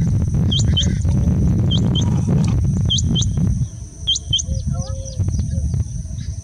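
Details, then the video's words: Rain quail mating call from Hubli, India: sharp, high, hooked notes in quick doubled pairs, each pair about a second apart, over a heavy low rumble, with soft lower whistles from other birds in the background. "Rain Quail mating call"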